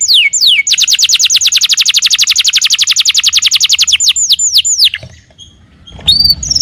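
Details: Canary song meant to lure another canary into singing back: opening down-slurred whistles, a long fast trill of crisp repeated notes, more slurred sweeps, a brief quiet gap, then a short high note with low rumble.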